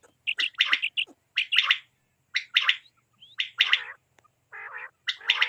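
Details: Quail calling, apparently for hunting and netting, KPK region: bursts of buzzy, rapid notes roughly every second, with drawn-out nasal squawks carrying strong harmonics near the middle and end.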